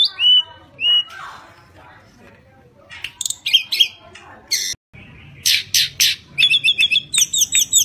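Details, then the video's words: Tledekan gunung, a Javan songbird kept for its voice, singing to lure other birds: two clear whistled notes, then a quiet stretch with faint murmuring, followed by rapid high chirps and sharp whistled phrases. "Burung Tledekan gunung gacor NYENGKLAK cocok untuk mancing bunyi"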